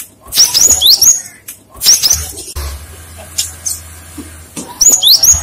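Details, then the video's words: Lure recording of a cinereous tit drawing replies from others. Bursts of high whistled notes, each falling steeply, come in short clusters separated by quiet gaps. A low droning hum runs beneath. "Pancingan suara burung gelatik batu | gacor | gelatik lain langsung nyaut"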